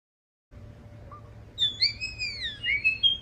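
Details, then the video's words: Bird making a robotic sound: after a quiet start, wavering electronic-like whistles with gliding pitch, several linked tones over about two seconds. "Bird makes robotic sound"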